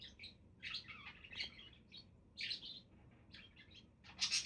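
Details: Budgerigars warbling in a busy run of scratchy chirps and squeaks, broken by short pauses, with a sharp harsh note to finish.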